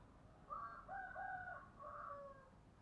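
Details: Spotted dove song in the giọng thổ style: a phrase of three or four mellow, throaty coos over a faint background hiss.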